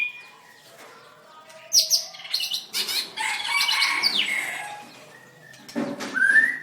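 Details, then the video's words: White-rumped shama, a caged songster at a bird singing contest, dancing and singing: loud bursts of varied whistles and harsh chattering notes after a quiet start, ending with a rising clear whistle. "White-rumped shama dancing and singing like crazy till chirped sorethroat"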